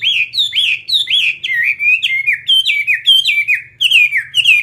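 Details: Fighting-type Chinese hwamei in captivity delivering a continuous run of bright, sliding whistles, many notes dipping then rising, packed closely with only brief pauses across nearly five seconds.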